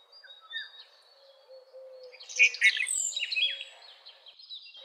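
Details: Red-vented bulbul delivering a loud, chattering burst of bubbly notes midway through, mixed with high squeaky calls of other birds and soft low notes in the background.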